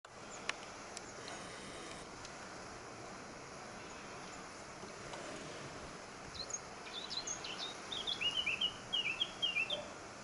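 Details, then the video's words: Eurasian blackcap (subspecies heineken) singing at Sardina de Gáldar, Gran Canaria, on 14 March 2019: after a long stretch of steady hiss, a quick run of clear, fluty whistled notes in the last few seconds. "Canto del Capirote, Curruca capirotada Sylvia atricapilla heineken"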